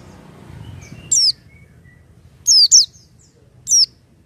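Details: Oriental white-eye, said to sing vigorously without stimulants: four crisp, high, falling chirps, two close together midway, over a low background hum.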